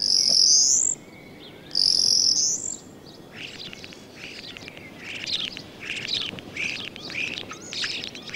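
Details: A common starling sings its courtship song on a sunny spring day at a farm in the Allgäu, nest already built: two loud, high, rising whistles, then scratchy clicks and rattling chatter, repeated quickly, with faint outdoor background noise.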